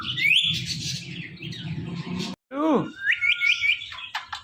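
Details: Pet Indian ringneck parakeet: raspy chattering notes, then after a brief gap a steep descending squawk followed by a string of short bright chirps over a steady tone; low background noise throughout.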